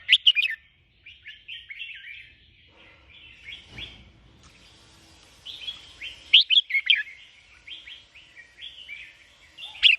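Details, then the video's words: Sooty-headed bulbul song: bubbly, chirping phrases repeated throughout, with a few louder sharp notes at the start and end and a soft background of continuous chatter. "burung kutilang jambul putih"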